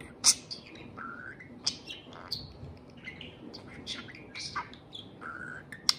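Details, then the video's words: Parakeet serenading a can of beer, a household pet. Loose warble of squeaky chirps, flat drawn-out whistles and a few sharp high shrieks, with clicks in between. "Pixel the Parakeet Talks + Kiwi serenades a can of beer"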